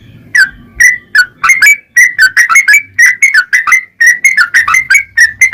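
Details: Song of a vigorous yellow-vented bulbul, used to provoke others of its kind: whistled, slightly slurred notes grouped in quick clusters, with brief pauses between phrases.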